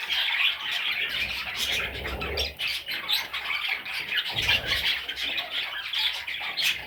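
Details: Young parrot chicks keep up a busy, overlapping chorus of thin squeaky chirps and rasping squawks, with occasional low thumps beneath.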